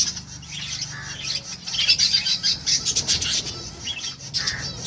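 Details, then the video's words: Lovebirds of assorted mutations chirping: raspy high squeaks and twittering notes rising in a loose burst, over a faint low background hum. "Lovebirds singing & chirping sounds - All mutation sounds"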